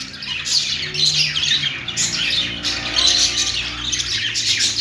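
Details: Budgerigar chatter, an unbroken stream of rapid squeaky twitters and harsh chirps, several bursts rising in loudness, with faint low hum underneath.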